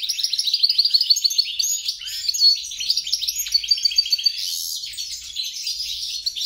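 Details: Mule hybrid of European goldfinch and grey-crowned goldfinch delivering a fast, tinkling warble of high chirps and trills, with a short buzzy note midway and a slight dip before the song resumes.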